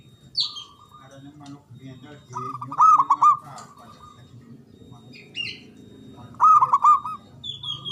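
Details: Local Javanese zebra dove with a big, loud, long-breathed voice, used as a lure to prompt silent doves to sing: two bursts of rapid, rolling cooing notes near 3 and 7 seconds, with other birds' brief chirps in between.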